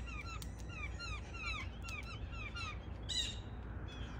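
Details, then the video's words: Blue jays, a family of six waiting in a backyard on an early morning for thrown peanuts, with crows nearby. Short downward-slurred, ringing notes repeat in quick irregular bursts, with a harsher clustered burst near the end over low steady rumble. "Bird Song early Morn with my Blue Jays"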